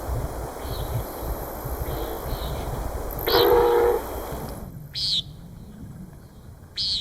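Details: Near camp in Deschutes National Forest, a male Common Nighthawk's boom display: a sudden, hollow whooshing boom under a second as it pulls out of a dive, then two nasal buzzy standard flight calls over insect hum.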